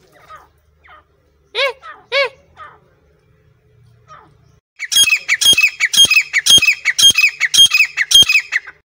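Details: Grey francolin, locally safed teetar, at Sariska National Park: a few faint notes and two clearer ringing calls, then a loud, shrill, harsh call series repeated about twice a second in a rapid, fairly regular run.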